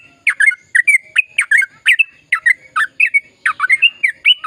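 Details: Sooty-headed bulbul in lively, long-running song meant to stimulate silent birds to sing: bright bubbly notes in quick pairs and triplets, each a short downward-slurred whistle, repeated steadily with brief gaps.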